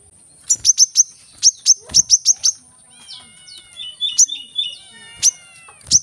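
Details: Brown-throated sunbird (kolibri kelapa) singing, played to stimulate other birds to sing: bursts of sharp, very high chips in quick runs, then a thinner passage of falling whistled slurs, closing with a few more isolated high chips.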